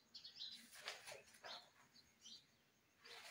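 Rose-ringed parakeet giving a few harsh, scratchy squawks and short chirps in quick bursts, with faint background noise.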